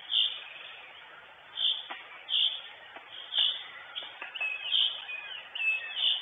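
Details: At a northern goshawk nest in Estonia, June 2022, the mother calls on a live camera feed; high piercing notes come irregularly, then cluster quickly near the end, with faint clicks and steady hiss.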